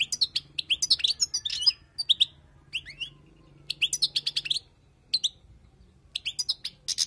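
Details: Wild goldfinch song for teaching young birds: bursts of rapid chattering notes and short buzzy trills, separated by pauses of about a second, with a soft low hum beneath.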